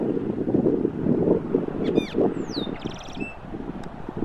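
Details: Austral blackbird calling while bathing on Cerro Banitez, Magallanes Region, Chile: a quick run of sharp, high, descending whistled notes and a rapid chattering trill midway, over a heavy low rumble of wind.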